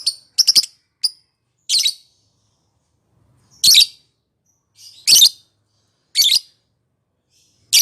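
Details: Lovebird calls played to coax a quiet lovebird into singing: short, high, rasping chirps in scattered bursts, irregularly spaced about a second or so apart, with silence between them.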